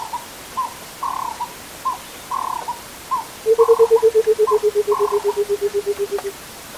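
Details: Burchell's coucal calling out in the open on a misty morning on the S28 road near Crocodile Bridge, Kruger: a long bubbling run of about twenty hollow low notes that slowly descends and slows, after scattered higher short notes.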